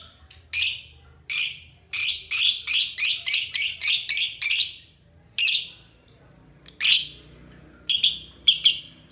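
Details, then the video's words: Two green lovebirds in ngekek mode give harsh, buzzy chattering bursts. Some come in tight runs of several notes, separated by short silences. "love bird hijau ngekek panjang"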